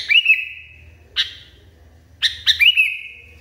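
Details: Sooty-headed Bulbul in an agitated mood: a bright chirp stretching into a long steady whistle, a lone sharp note, then a quick double-chirp sliding into another held, fading tone.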